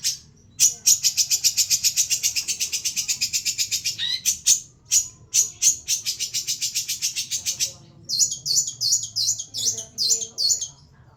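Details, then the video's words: Long-tailed shrike song in an old-style recording: a loud, fast run of scratchy high notes, about four per second, briefly interrupted, then a phrase of squeaky falling whistled notes, over a faint low hum. "cendet materi jadul"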